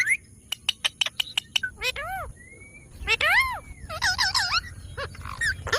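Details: Green ringneck parrot, a pet, starts with a rapid string of sharp clicks, then bends into rising-and-falling speech-like syllables and raspy chattering phrases.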